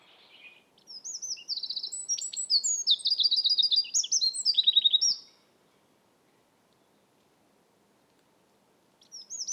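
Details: A Eurasian wren in Estonia sings one loud, hurried phrase of piercing high notes and fast trills for about four seconds, then falls silent until a new song begins at the end.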